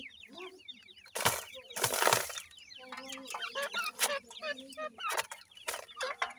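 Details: Iranian partridge (irani teetar) with its brown chicks at feeding time: quick high chirps tumbling over one another, low murmured clucks beneath, and loud rustling bursts in the first two seconds.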